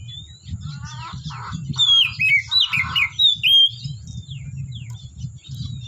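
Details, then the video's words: Oriental magpie-robin singing in the forest: a varied run of loud whistled notes, slurred sweeps and short chirps, with quieter twittering before and after, over a steady low rumble. "Suara Burung Kacer Asli Hutan"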